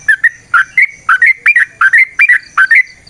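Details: Trucukan, the Sooty-headed bulbul, delivering ropel panjang song recorded as a lure: rapid paired liquid whistles, each rising then dropping, repeated several times a second without break.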